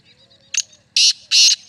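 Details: Black francolin, described as a male teetar, giving a short harsh note and then two loud rasping bursts about a third of a second apart, with faint thin chirps underneath.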